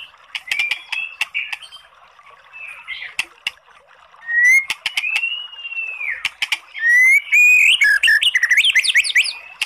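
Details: Oriental magpie-robin song to coax a listless bird into singing: soft chirps and clicks, then long clear rising and falling whistles, ending in a loud rapid jumble of varied notes.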